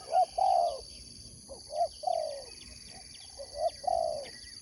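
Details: Spotted dove of sport dove competition, singing three clear coo phrases, each a quick double note then a sustained mellow coo, spaced about one and a half seconds apart, over a continuous high-pitched hum and faint twittering.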